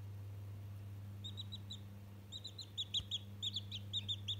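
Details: Day-old chick talking to a toy, giving rapid high-pitched cheeping notes that start sparse and grow louder and denser toward the end, with a constant low hum behind.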